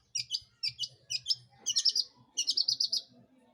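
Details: Long-tailed shrike singing to lure other birds into song, paired high chattering notes at first, then two longer rapid trilled bursts, in a quiet setting.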